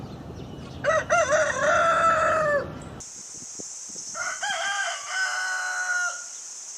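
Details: Rooster crowing twice: a harmonic cock-a-doodle-doo lasting nearly two seconds, then a second, fainter crow after a cut, with a steady high hiss in the background.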